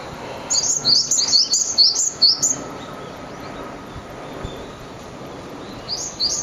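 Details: Two Japanese tits calling loudly as if sensing danger, on a bridge at the edge of an ecological park: a burst of high, rapid chirping notes repeated over about two seconds, then a pause and a brief final flurry, over steady background hiss.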